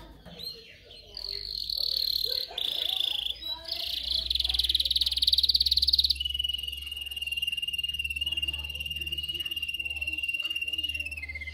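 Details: Canary song for training young canaries: a long sequence of dense high rolling trills, changing pitch from section to section and ending in a steady, slightly falling whistled roll.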